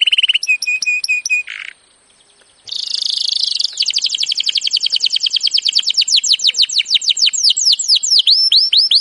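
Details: Training song of a canary: a few flat whistled notes, a short pause, a dense buzzy burst, then a long fast trill slowing into repeated curving whistles.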